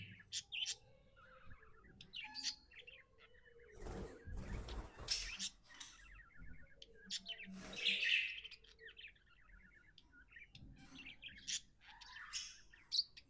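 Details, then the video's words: Happy pet budgie giving scattered chattering chirps and short ticking trills, broken by a few soft rustling noise bursts. "Happy budgie chirping sounds"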